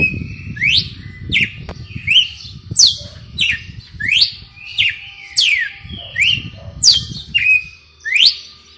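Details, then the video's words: Kept red-cowled cardinal singing in the 'açoite selvagem' style, a fast string of loud whistled notes that swoop upward then drop, roughly ninety phrases a minute, with faint low hum beneath. "Galo de campina BOHEMIO com seu AÇOITE SELVAGEM"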